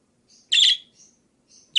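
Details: Budgerigar (parkit) recorded for tutoring other birds: one loud, grating chirp set among soft, thin high whistles, with another loud chirp beginning right at the close.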